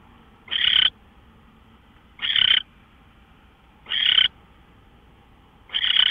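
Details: Owl at 5:27 AM on March 24, 2013: four harsh, grating hisses, each about a third of a second, spaced roughly one and a half to two seconds apart over a low, even background hum.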